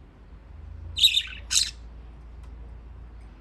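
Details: Budgerigars kept as pets in Japan, playing in water; a pair of quick harsh squawking chirps in close succession, then quiet room hum.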